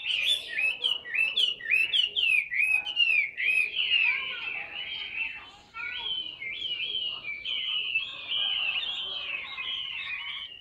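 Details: Tame caged Chinese hwamei, large bird, delivering a fast series of sharp repeated whistled notes, then a long flowing run of warbling, slurred whistles at steady volume.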